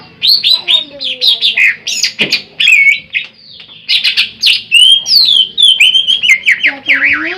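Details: Greater green leafbird, a large individual, singing a master song used as a lure for trapping birds: loud varied phrases of whistles, slurred sweeps and chattering notes, dense and continuous with brief pauses.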